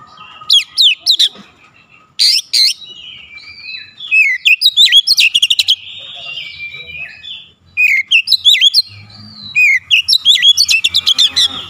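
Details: Kacer, the Oriental magpie-robin, delivering an aggressive shooting song: loud bursts of sharp rapid notes alternating with sliding whistles and warbled phrases, about three notes per second, with faint voices in the background.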